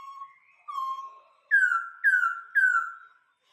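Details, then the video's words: Vietnamese laughingthrush, kept as a cage bird, sings rich whistled phrases: two steady mid notes, then three loud downslurred whistles about half a second apart, clean and with no other sounds. "chim khướu hót"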